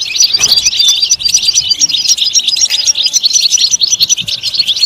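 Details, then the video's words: Rapid tinkling goldfinch twitter packed with short high notes and clipped chirps, loud and continuous, with a few faint lower tones in the middle. "Comprehensive guide to stimulating and singing the goldfinch"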